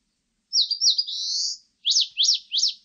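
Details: Eastern crowned warbler song: two quick high slurred notes run into a sustained buzzy rising trill, then after a pause three sharp high chevron-shaped notes evenly repeated; clean recording with no other sounds.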